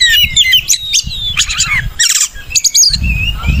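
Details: Oriental magpie-robin singing as a lure recording for caged birds: quick whistled and chirping notes over a steady low rumble in the background.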